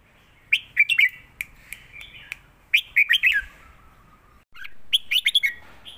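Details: Caged red-whiskered bulbuls compete phrase for phrase in southern master-style song: three bursts of quick, cheerful chirped whistles, each of four or five notes, spaced about two seconds apart.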